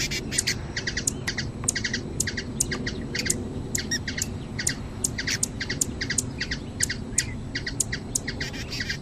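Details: Busy series of shrill, squeaky hummingbird chips from Brazilian nature, notes stacked in fast clusters that keep up a steady rhythm throughout, with a low rumbling backdrop.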